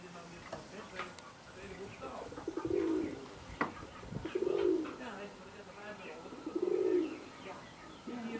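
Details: Indian Fantail fancy pigeons, Alkmaar, Holland, cooing: three swelling, throaty coos roughly two seconds apart, each preceded by soft stuttering notes, with a few sharp clicks.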